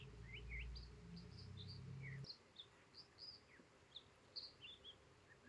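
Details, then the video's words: American dipper, also called water ouzel, filmed on the Sunshine Coast of British Columbia: a string of sweet, high, short whistled notes and quick trills, some paired, over steady rushing water, with a loud low rumble fading out early on. "Sweet sounds of the American Dipper"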